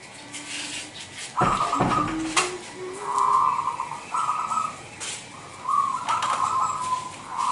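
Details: Local Indonesian zebra dove from the wild, a frequent singer used as a lure for other zebra doves; series of quick purring coo phrases repeated with brief gaps, a sharp knock near the start, low background noise.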